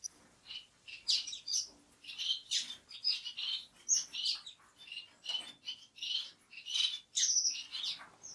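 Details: Orange-cheeked waxbill (Estrilda melpoda), a sociable estrildid finch, chattering in busy high chirps and thin whistles, dense clusters of notes over eight seconds, possibly several birds together.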